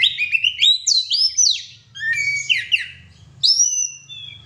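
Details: Loud, lively song of a pet oriental magpie-robin: rising and falling whistled notes in quick sequence, buzzy slurred phrases, brief gaps between bursts, ending on a clear high drawn-out whistle; faint low hum beneath.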